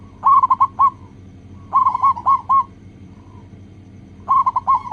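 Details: Zebra dove of local stock, recorded as a lure to make other doves sing: three loud phrases of rapid rolling coos, each ending in a drawn-out note, spaced about two seconds apart, with one faint distant coo between.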